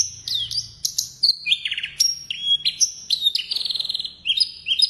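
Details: High, varied song from a blorok Javan bush lark in full voice: downslurred whistles, steady level tones, a fast buzzy rattle midway and more slurred notes, all stitched together in one full-fill performance.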